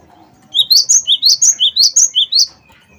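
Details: Lively wingko-type cinereous tit song, a lure for other cage birds: a rhythmic string of about twelve clear whistles in two-note pairs, low-high, at nearly three notes per second.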